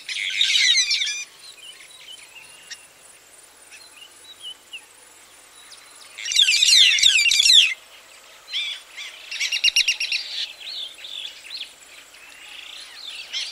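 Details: White-headed buffalo weavers (Dinemellia dinemelli), several birds recorded close up, give three bursts of high, squeaky, chattering song, with softer calls of other birds in the background between them and traffic audible.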